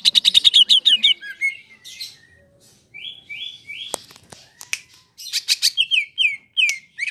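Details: Greater green leafbird (cucak ijo) in an unbroken rolling song: a fast rattling trill, then a series of slurred whistled notes repeated in quick runs, varied chattering phrases throughout, no background noise.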